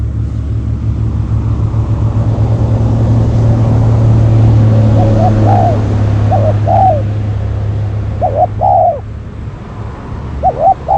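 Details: Spotted dove used as a decoy to lure wild doves, calling in the countryside: soft hooting coos in short groups during the second half, over a steady low engine hum.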